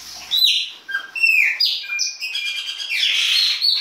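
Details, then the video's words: Winter song of a baianinho Chopi blackbird: a rapid, continuous run of varied whistles, rising and falling slurs and rough chattering notes, with no pause over nearly four seconds. "PÁSSARO PRETO BAIANINHO E SUAS CANTORIA DE INVERNO"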